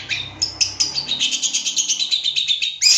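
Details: Long-tailed shrike, a 2023 contest winner, in a lure recording meant to spur shrikes into quick, excited song: a dense, fast stream of high chirping and twittering notes, almost a dozen pulses, ending in a louder burst.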